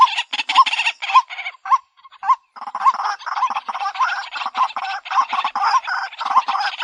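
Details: White-breasted waterhen (Amaurornis phoenicurus) calling for luring: harsh, honking grating notes with regular low hoots woven through, a brief pause near two seconds, then continuous raucous chorus-like chatter.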